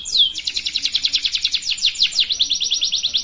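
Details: Canary song used as a lure for young birds learning to sing: a fast, bright rolling trill of evenly repeated high notes, opening with a short downward sweep, then steady pulses with slight changes in pace.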